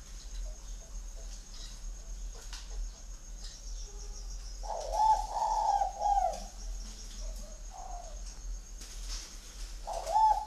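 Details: Spotted dove kept at a dove breeding garden in Ba Vì, Hanoi, Vietnam, singing in the 'Son' voice style: low, hollow cooing phrases with a slight rise, repeated a few seconds apart over a steady high electrical whine.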